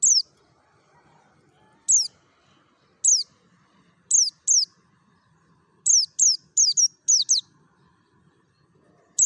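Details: Wild-style 'ngalas' song of a Merapi mountain white-eye, used as a lure for other white-eyes. Thin, piercing downslurred chirps start well spaced, then speed into a quick burst of five or six notes near the end. A soft background hum runs throughout.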